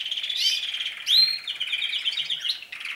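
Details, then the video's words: Canaries beginning to sing in earnest; a loud, steady high trill of rapid notes rolls on through the clip, interrupted by one sharp upward-sweeping whistle. "śpiew kanarków, canaries singing, canários cantando"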